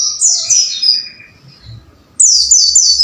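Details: High-pitched white-eye song meant to train caged pleci: a slurred descending phrase fades out, then after a short silence a new quick run of thin, falling "wucit" chirps starts.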